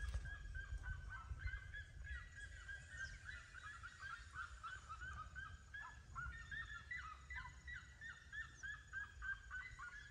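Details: Seriemas singing: a rapid, continuous run of short, yelping, honk-like notes that overlap as if from more than one bird, steady throughout, over a low rumbling background noise.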